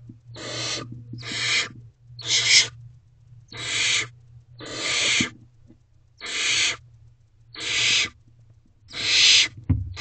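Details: Barn owl chick in a nest box at 8 pm in May, after rain, demanding dinner from its mother: eight wide-band raspy screeches, about 1.2 seconds apart, over a faint background hum.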